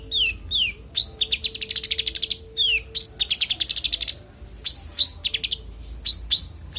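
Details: Konin delivering its varied clear song, used as training audio for songbirds: falling whistled notes alternating with fast rattling trills, then scattered sharp high whistles.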